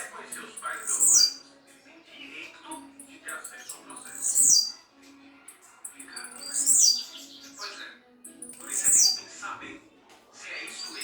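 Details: Blue-black grassquit, campainha style song: a short, sharp, high buzzy note that slides downward, repeated about every two to three seconds, four times, over quieter background talk and music.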